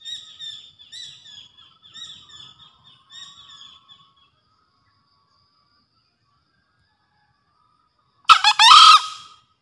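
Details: Green junglefowl calls used to stimulate newly caught or quiet birds and for luring in the forest: a burst of high, thin chirps for four seconds, a pause, then one short, shrill, harsh crow near the end.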